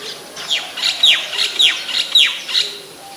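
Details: Oriental magpie-robin singing in Ubon Ratchathani, Thailand, on 28 October 2021, recorded on a Nikon P1000: about six bright, high whistled notes sliding steeply downward, given roughly twice a second over a quiet background.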